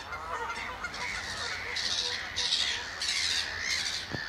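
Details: Eurasian oystercatchers piping in display at Amwell Nature Reserve, April 2014; loud, shrill piercing notes in quick bursts about every half second, several birds calling together, ending with a brief knock.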